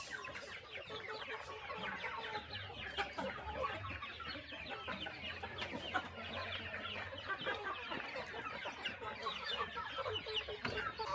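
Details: Chickens crowding at morning feeding on a small countryside farm, a continuous busy chatter of high chirps and lower clucks, with scattered clicks and a faint low hum.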